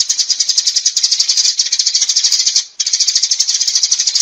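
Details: Sparrow flock call, a nearly continuous high, dry chatter of fast chirps with one brief pause near the end.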